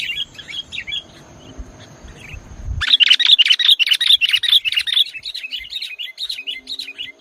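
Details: Sooty-headed bulbul singing in full 'nggaruda' style: after a quieter stretch with low rumbling background, loud rapid chirped and warbled notes burst in, repeated about two or three times a second with varied bright phrases.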